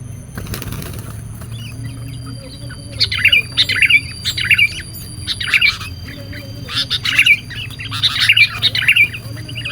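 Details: Sooty-headed bulbul, used as a lure to trap wild birds: after a quiet start, bursts of bright chirping, bubbly notes come in clusters from about three seconds on, with low steady hum underneath.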